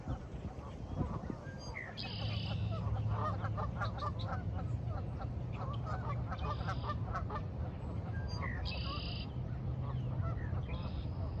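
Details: At sunrise, geese honk in a busy chorus of nasal calls, with a passing train rumbling low underneath and small birds singing a morning chorus high above.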